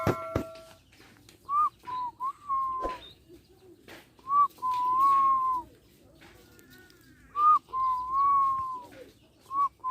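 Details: Young Barbary dove learning to coo, just beginning to find its voice: thin, fairly high coos, a short note followed by a longer drawn-out one, repeated in pairs with quiet gaps between and a soft background hum.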